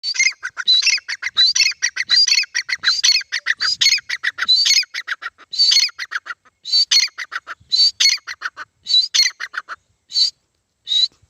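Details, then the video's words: Grey francolin (desi teetar) calling: a long sequence of harsh, high, scratchy repeated phrases in rhythmic bursts, gradually spacing out toward the end, with no other sounds. "Gray francolin teetar ki awaaz"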